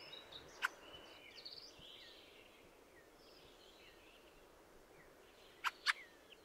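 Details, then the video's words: Fieldfare with soft, scratchy squeaking phrases between sharp harsh chack notes near the start and a closely spaced pair near the end, over constant hiss. "The song of the Fieldfare"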